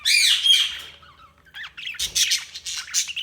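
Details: Budgerigars chirping: a long buzzy warbled squawk at first, then a fast jumble of harsh, scratchy chirps and chattering notes.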